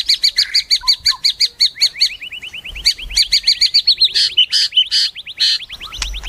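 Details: Kept White-rumped shama delivering dense, fast song: long strings of rapid high chips and buzzy trills running almost without break.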